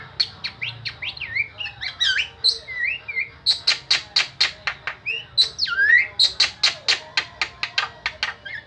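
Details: Starling song, described as strange but melodious: varied whistled notes, slurred rising and falling phrases, and runs of short sharp buzzy notes repeated rapidly, several per second, near the end, with a quiet background.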